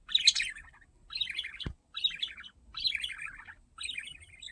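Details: Curious pet budgerigar investigating a camera, giving repeated bursts of buzzy, warbled chirps roughly every second, with a single sharp knock midway.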